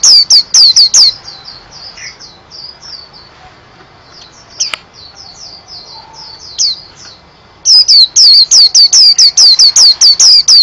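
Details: Singing white-eye (pleci): loud high chirps at the start, followed by a softer, twittering warble of thin slurred notes, then a renewed run of rapid, piercing chirps to the end.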